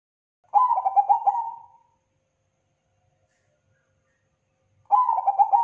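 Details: Zebra dove of the Bangkok type singing crossing style, one full throbbing coo phrase with a trailing steady note, then a long pause before the next phrase begins.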